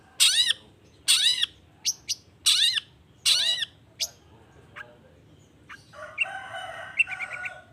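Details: Long-tailed shrike in full song, used as a lure to prompt other shrikes to answer: four loud harsh buzzy notes with rising-falling arcs about a second apart, then scattered short chips and a fainter chattering phrase.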